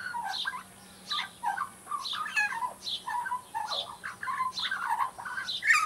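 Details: Juvenile Australian magpie working through practice song, uttering short bursts of warbling, carolling phrases with some scratchy squeaks, each burst separated by half-second gaps, ending on a louder rising note; low hum underneath.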